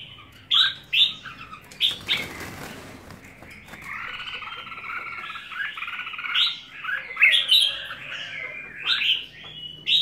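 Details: Red-whiskered bulbul song: crisp whistled notes, a burst of rustling noise, then a long, busy warbling stretch of chirps.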